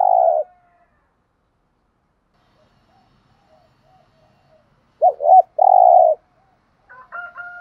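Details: Decoy spotted dove giving a call meant to stimulate other doves: after long silence, a short hooked double note and a sustained low buzzy hoo. A higher, harmonic call from another bird follows at the end.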